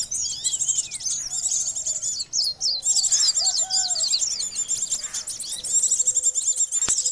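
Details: Lure call of the common iora for bird trapping, a busy torrent of high, sharp chirps and quick twittering phrases running almost without break, with a faint low thump near the end.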